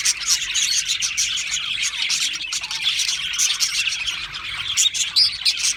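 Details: Australian parrots in full chorus: rapid, overlapping high chirps and buzzy twitters running without a break, with one clear whistled note standing out near the end.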